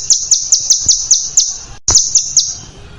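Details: Contest-bird training recording of sharp, shrill chips with a dense, rough delivery. Downslurred notes repeat about four times per second in two runs, split by a short pause.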